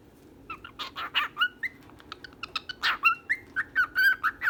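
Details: Female and male pet birds making short clicks and whistled notes that build into a quick, regular series of clear, flat whistles near the end, each about a quarter second apart.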